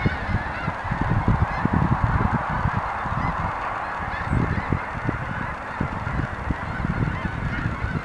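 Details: Hundreds of snow geese coming in to land at dusk in far southeast Dallas County keep up a dense, continuous din of overlapping nasal honks and yelps, with a low rumble underneath.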